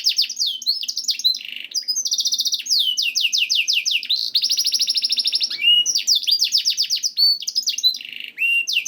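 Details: Canary song used to stimulate canaries: varied phrases of rapid trills, buzzy rolls and downward-sweeping whistles delivered continuously with brief pauses between tours.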